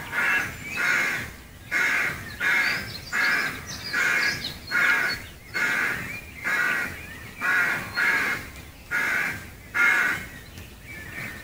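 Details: Rooks in the trees around Gaia House in Devon, heard from the footpath outside; a steady run of hoarse, grating caws from several birds, some in pairs, continuing for over ten seconds.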